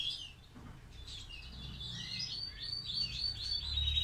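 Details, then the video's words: Caged European goldfinch with half white throat, tried with a mate, singing in the classic çizgi style: quiet, rapid high twittering and tinkling chirps in a continuous run, with faint low background rumble. "Klasik Saka Çizgi Ve Yarım Ak Gerdan"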